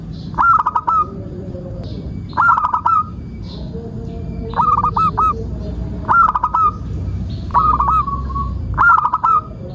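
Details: Singing local zebra dove, recorded to lure and train other birds: six short phrases of quick cooing notes about every one and a half seconds, with faint lower notes between them.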